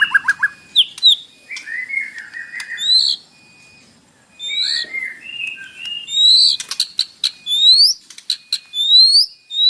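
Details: White-rumped shama (murai batu) in an isian-style morning lure song meant to provoke captive birds to sing: varied clear whistles, slurred notes and rising sweeps at mid to high pitch, with a brief pause midway, then sharp ticks and upward whistles.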